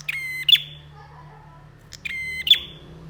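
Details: Two loud phrases from a bar-winged prinia in lively training song, about two seconds apart. Each has a flat buzzy drone that climbs to a piercing high note with a trailing fade, over a faint hum.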